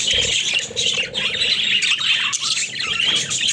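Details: Several caged pet budgerigars playing, a short burst of loud, steady warbling chatter with whistled squeaks and harsh chirps overlapping throughout.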